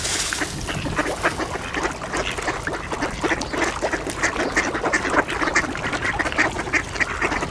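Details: Mallard ducks in a feeding frenzy at an ice hole, quacking for position among coots and swans; a busy chorus of rapid overlapping quacks with flapping and splashing, growing louder toward the end.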